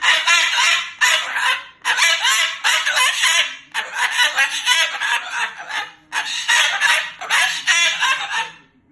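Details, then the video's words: Loud, cursing pet Moluccan cockatoo, upset about an overnight stay: choppy, raspy speech-like phrases in separate bursts of about a second, with brief gaps between them. "Misha bird does NOT want to go home - or maybe he does. He's talking and cursing LOUD and funny"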